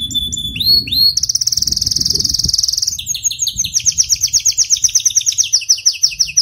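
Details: Canary song opening with a few rising whistled notes, then a fast, buzzy, even trill lasting about two seconds, followed by a quick series of repeated downslurred chirps that continue to the end.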